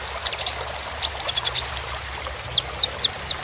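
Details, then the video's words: Sunbird known locally as kolibri ninja, recorded as a dense tutor song for training competition birds: quick high thin chips and squeaky notes in clusters, with a steady hiss of background noise. "KONIN (Kolibri Ninja) Masteran Full Materi Mewah Isian Rapat Panjang"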